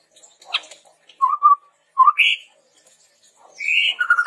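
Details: Chestnut-rumped babbler song used for luring and training birds: a few soft notes, then two low whistles, a higher rising slur, and a closing pulsed trill.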